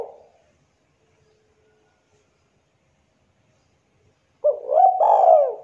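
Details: Spotted dove, local bird, singing 'manggung' style as a lure. Long quiet, then a short burst of rising looped notes flowing into a drawn-out wavering coo near the end.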